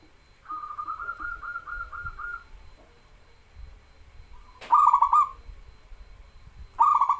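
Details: Local zebra dove song for stimulating birds that seldom sing: a long, softer run of even, rapid coos opens, followed by two loud stuttering cooing bursts near the end.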